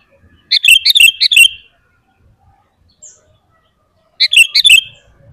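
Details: Sooty-headed bulbul in lively full song, used as a lure to provoke caged and wild bulbuls into singing: a rapid burst of bright, bubbly chirped notes lasting about a second, silence, then a second similar burst near the end.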